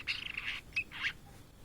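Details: Song of a blue-and-white flycatcher, a migrant bird in Indonesia: harsh, buzzy, strained notes with a brief sharp whistle between them, in a quiet setting.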